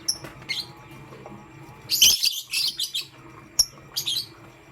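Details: Morning chirping from pastel gray and green lovebirds: scattered thin squeaks, then a loud run of grating, high chirps around two seconds, followed by sparser sharp notes.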